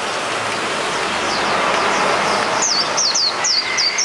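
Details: Hume's white-eye singing 'ngalas' in the wild: after a stretch of hissing noise, quick high squeaky notes slur downward in a repeated run of about five phrases, over steady broadband background roar.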